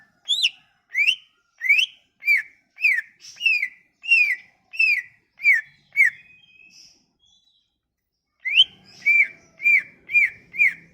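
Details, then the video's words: Leafbird song used to make a silent leafbird sing: a lively string of downward-bending whistles, a brief gap with a thin trailing note, then more whistled notes about twice a second. "Kicauan ini MAMPU memikat cucak ijo MACET bunyi"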